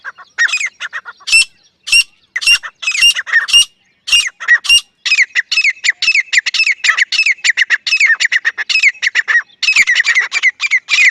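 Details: Grey francolin calling loudly: harsh, squawking notes repeated in rapid bursts, sometimes with sharp high overtones, running almost continuously and speeding into dense, steady chattering series in the second half.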